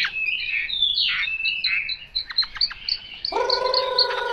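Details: Chinese hwamei delivering fast, varied whistled notes and brief trills, with a lower harmonic note entering near the end.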